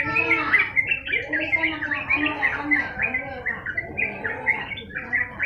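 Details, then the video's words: Sooty-headed bulbul, called trucukan, singing steadily in a long tutor recording: a continuous run of chirpy, slurred whistles and short warbled phrases, rising and falling, with rhythmic loud pulses throughout. "masteran burung trucukan gacor ngedur durasi panjang"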